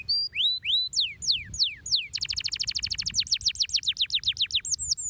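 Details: Canary singing a long, shrill song: loud descending whistled sweeps, then a rapid piercing trill of repeated downslurred notes, over a low background rumble.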